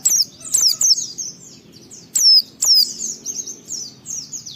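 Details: White-eye song for provoking other white-eyes: high thin downward-sweeping whistles in short clusters, trailed by a continuous softer chatter of similar high notes.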